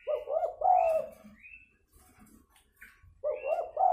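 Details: Spotted dove fighting call, used as a lure to bring wild doves down: deep, mellow coo phrases with a rolling, bubbling quality, one phrase early and another at the end, separated by a quieter gap with faint background noise.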